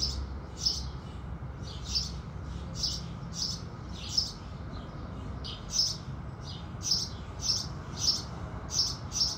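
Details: House sparrows singing with the rising sun: a steady run of about thirteen short, bright, high chirps, roughly one every two-thirds of a second, over a soft low rumble.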